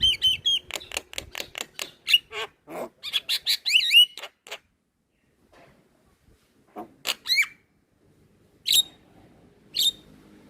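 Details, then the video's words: Javan myna (jalak kebo), white-eyed and nodding type, energetic cage-bird training song: a rapid series of sharp high clicks and whistled upslurs for four seconds, then silence broken by scattered buzzy whistles. "Jalak Kebo gacor Suara Asli / Masteran Jalak Kebo Mata Putih / Masteran Jalak Kebo Manggut2"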